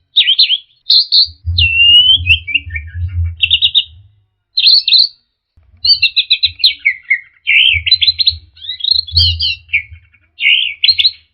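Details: ['Orange-headed thrush (anis merah) song, played as therapy so caged birds answer and sing freely: a rich, varied stream of high whistled and trilled phrases, some sliding downward, in bursts with short pauses, over a low steady hum.']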